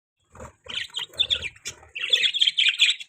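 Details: Budgerigar chirping, a busy stream of scratchy warbled chatter and bright short chirps, continuous after a brief quiet start, with some low rustling.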